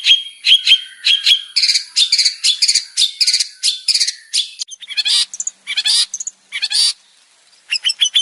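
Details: Long-tailed shrike male in varied song: a rhythmic string of short whistled notes mixed with scratchy chips, then louder, harsher chattering bursts separated by brief silences.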